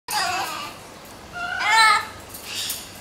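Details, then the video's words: A blue-fronted amazon parrot saying hello: three voiced, speech-like bursts with clear stacked harmonics, the middle one loudest and rising slightly, in a small indoor space. "Blue fronted saying hello"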